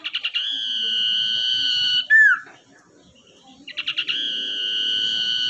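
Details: Lively captive Common iora, originally caught in the wild and tamed for use as a lure, delivers a stuttered start, a long held high whistle and a falling slur, then begins the same phrase again, over low background hum.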